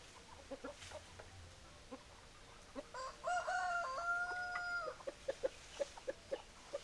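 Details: Chickens at feeding time: a rooster crows once for about two seconds, a harmonic call rising then held level. Quick regular clucks follow, about three every second, over faint tapping.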